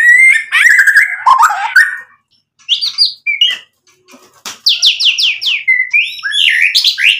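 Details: Shama delivering lure song for provoking a response: a loud warbling opening, a brief pause, scattered chips, then a series of quick, bright descending whistles repeated in succession.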